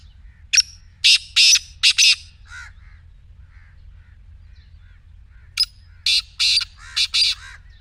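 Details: Black francolin giving repeated harsh calls, meant to make a quiet partridge begin calling: two grating phrases of four to five rapid rasping notes about five seconds apart, faint softer bird notes between.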